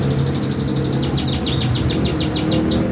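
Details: Bird masteran song meant to make other birds answer: fast series of bright downward-sweeping whistled notes, quickening then spacing out, over a steady low hum and background noise.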